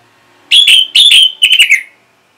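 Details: Orange-headed thrush (anis merah) responding to a lure: two loud, sustained whistles followed by a quick descending run of short whistled notes, then silence.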